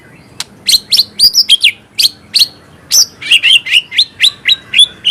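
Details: White-rumped shama, a murai batu in full voice, delivering a rapid string of loud whistled notes and upslurs, about three per second, steady and ringing.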